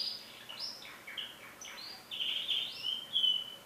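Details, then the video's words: A canary's song of quick chirped notes leading into steady rolled trills and a high piercing whistle, phrases linked with little pause. "Canary singing"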